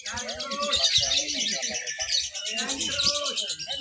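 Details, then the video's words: Caged lovebird in a mixed class B practice singing contest in Papua, Indonesia, on Sunday 31 October 2021, giving its long 'ngekek' chatter while clinging to the cage bars. Dense, rapid, high buzzy chattering runs continuously, with low murmuring voices beneath. "LOVEBIRD THE BEST, NGEKEK SAMBIL NGERUJI/MERAYAP AUTO JUARA"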